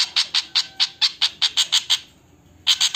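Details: Javan flycatcher giving an alarm call: a rapid series of harsh, loud notes repeated about five times a second, a short pause, then the burst resumes.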